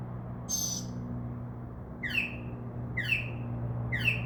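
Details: Northern mockingbird outside a window at night: one raspy high buzzy note, then three sharply falling whistled phrases about a second apart, with a continuous low hum.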